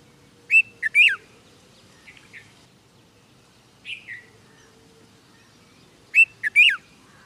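A red-vented bulbul gives short bursts of three or four bright, bubbly chirps, repeated every few seconds with softer notes in between, against a quiet background.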